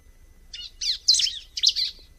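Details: Bar-winged prinia giving three quick clusters of high, buzzy, twittering notes, each lasting about a quarter second, separated by brief pauses, with no other sounds.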